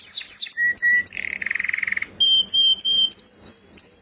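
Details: Canary song mixing falling chirps, steady pure whistled notes, a buzzing rolled trill held almost a second, and a run of repeated high level whistles, over a soft murmuring background.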